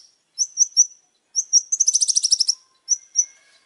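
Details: Long-tailed shrike in energetic song: short, thin, high whistled notes in small groups, a fast chattering trill in the middle, then two more clipped whistles. The background is quiet.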